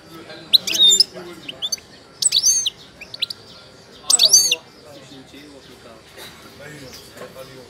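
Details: Wydani Moroccan goldfinch, described as wild-caught and in the middle of its moult, sings three dense bursts of high, tinkling, buzzy twitters, each about half a second long, with a few single chips between them over a quiet background.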